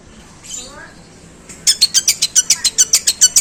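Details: Long-tailed shrike, a contest prospect, giving its long, rough imitation of sparrow calls: after a quiet start, a fast run of harsh, chattering high notes repeated about four times a second.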